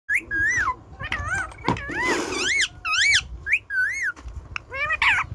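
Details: A pet Indian ringneck (rose-ringed) parakeet talks in a high, nasal voice, with quick bursts of wavering, whistled syllables, rising and falling swoops, and short gaps between phrases.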